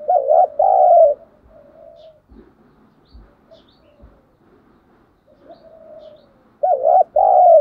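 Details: Spotted dove decoy in Vietnam calling to lure rivals, giọng thổ voice; a loud two-part coo opens, quieter murmured coos and dull thumps follow, and another strong two-part coo closes.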